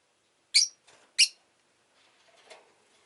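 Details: Rosy-faced lovebird kept as a pet, two loud, sharp chirps about half a second apart, followed by faint, muffled rustling in the background.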